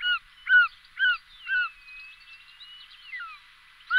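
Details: Short-toed snake eagle giving plaintive, downward-curving whistles repeated roughly twice per second. A thin, level whistle and softer notes follow, then one more loud note at the end.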